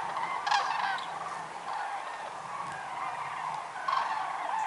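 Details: Common cranes from a record gathering of over 206,000 birds at Lac du Der-Chantecoq, Champagne-Ardenne, France, during November 2014 migration; a dense chorus of overlapping bugling, trumpeting calls forms a continuous din with louder bursts near the start and end.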